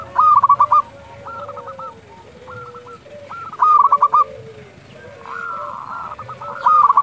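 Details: Local Indonesian zebra doves calling at dusk, used as a lure to stir other doves: stuttering, bubbling coo phrases, several overlapping, with fainter lower tones and brief clattering noises between.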